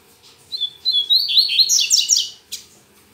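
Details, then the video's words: Morning song of a Double-collared seedeater, recorded Saturday while singing a lot but still weakly: clear short whistles step upward into a fast cascade of sweeping high notes, ending with a brief sharp buzzy burst after a pause. "Coleiro Mack Cantando Muito Pela Manhã"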